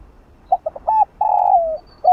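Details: Spotted dove decoy cooing in the 'chiêu 3 hậu' calling-and-urging style, used to stir a caged dove into cooing. Three quick stuttered notes and a hooked coo lead into a long, falling hollow coo, then a final coo begins.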